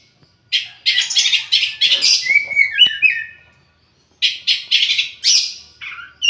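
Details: Oriental magpie-robin (kacer) giving fast runs of scratchy, chattering notes broken by a clear whistled slur, then a pause and another harsh chattering burst.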